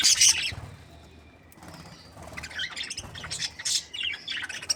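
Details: Budgerigars of a happy breeding pair give a loud scratchy chirp burst, then quieter pauses with soft twitters, followed by another flurry of high squeaky chirps.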